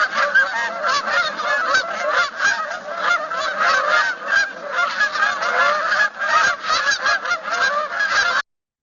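A big flock of Canada Geese honking together: a dense, unbroken chorus of loud nasal honks overlapping for about eight seconds.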